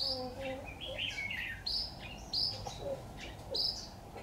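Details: Red-whiskered bulbul calling while being trapped with a decoy bird, 26 October 2019: brief high whistled notes and a quick warbled phrase, repeated with pauses, plus faint lower chirps and a steady low hum.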